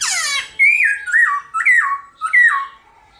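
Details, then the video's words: Singing black-throated laughingthrush in the morning, a competitive song played to make other birds sing: a short harsh squawk, then four loud, clear whistled phrases, each sliding up and dropping away. "Khướu bạc má hót đấu kích khướu căng lửa | khướu bạc má hót múa buổi sáng"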